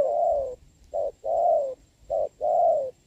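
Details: Spotted dove in a rainy trapping match with a decoy bird, 26 November 2022; a long coo followed by two short-long couplets, smooth and low-pitched, evenly spaced.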